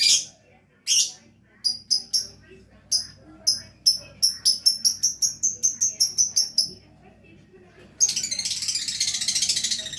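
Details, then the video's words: Lovebird giving a long run of short high squeaky chirps, speeding up into a rapid even series of about fifteen notes, ending with a harsh continuous buzzy chatter. "Love Bird Gacor"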